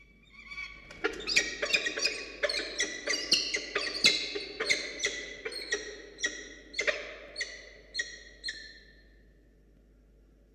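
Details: Hungry falcon chick begging at a nest watched by a live camera at Charles Sturt University as an adult arrives with a starling. Rapid harsh, ringing cries fall slightly in pitch and repeat more than once a second, then fade and slow toward the end.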